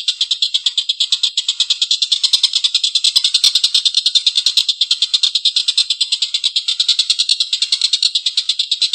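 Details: Extended rough laughter from a collared kingfisher, rapid grating notes running on for many seconds in a steady, chattering series, with the strength rising and falling slightly.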